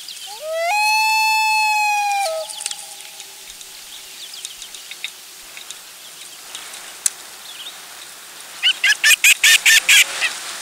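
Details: Loon family of two parents and a chick on their last day at the nest, nest camera, July 16, 2024. A rising wail levels into a long, full, steady note and fades. Later comes a quick run of sharp, loud pulsed notes.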